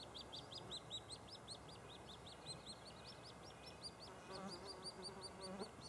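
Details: White-headed woodpeckers nesting at Lassen Volcanic National Park, with a nestling chirping as the male comes to the cavity entrance. High, thin chirps repeat quickly and steadily, somewhat irregular, over a constant low background hiss.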